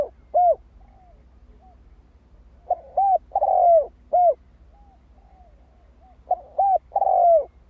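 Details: Spotted dove calling to rouse decoy birds: a short coo, then two full phrases of paired short coos, a long falling hoot and a final short note, separated by a quiet stretch.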